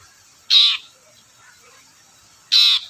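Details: Long-tailed shrike lure recording meant to make silent shrikes sing: two loud, coarse, rasping calls about two seconds apart against a quiet background.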